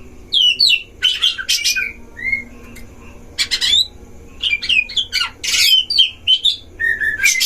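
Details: Oriental magpie-robins dueling in breeding cages, used as a lure to provoke other magpie-robins; separate bursts of harsh rasping notes mixed with clear whistled slurs, with short silences between.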